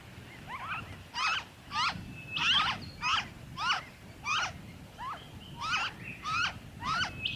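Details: Noisy friarbird in Victoria, Australia, February 2023, giving a run of harsh, cackling double notes, each sharply bent and rich in overtones, about ten bursts in seven seconds, with a low rumble of background noise beneath.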